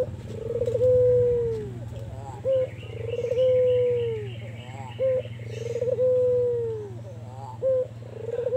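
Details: Albino white Barbary dove in full voice, kept as a lure bird: four rounds of soft, hollow cooing, each a long level note that slurs downward, then a brief higher note, with faint twittering of another bird and a steady low hum.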